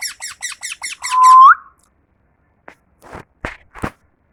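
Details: Pet parrot, a tame mithu, gives six quick raspy chirps, then one clear rising whistle, followed by a few scattered clicks and knocks.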